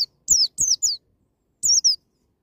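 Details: Wild 'ngalas' white-eye song for spurring untrained young birds: three strong, high, downward-slurred notes in rapid sequence, a silence, then two more bright falling chirps.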